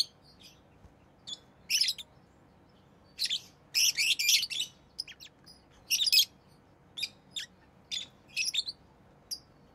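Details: Harsh, rasping chirps from a tame rosy-faced lovebird, coming in quick irregular bursts that bunch into a dense rattling run midway, with steady low background noise throughout.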